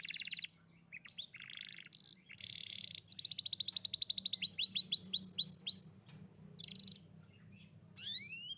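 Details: Song of a canary, played to coax a young canary that has stopped singing back into song. It opens with buzzy high notes, then a fast rolling trill and a series of quick descending whistles, followed by scattered chips over a low steady hum.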